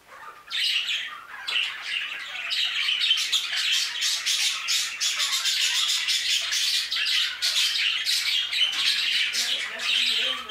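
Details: A crowd of budgerigars in an aviary keeps up a loud, steady, high-pitched chattering of rapid squeaks and warbles for about ten seconds without a break.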